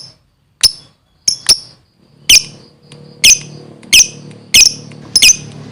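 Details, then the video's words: Lovebird giving lively, sharp, squeaky single chirps spaced about a second apart, a few in quick pairs, in a quiet room. "suaranya gacor love bird"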